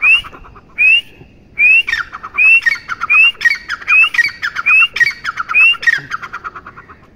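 A partridge gives loud, shrill, rising whistled notes, each followed by harsh grating syllables, repeated about every three-quarters of a second in a steady series.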